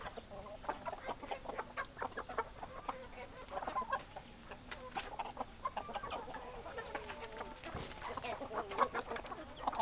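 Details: A chicken flock gives continuous clucking, with many brief overlapping notes and a few louder sharp calls near the end.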